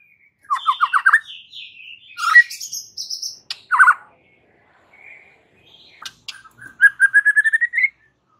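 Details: A prolific white-rumped shama singing to rile up rival males: short bursts of quick whistled trills and a few harsh notes, separated by pauses, ending in an accelerating series of rising whistles.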